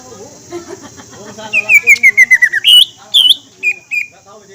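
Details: Green leafbird song used as a lure: after faint background sounds, a descending chain of clear whistles followed by looping high notes and two short level whistles.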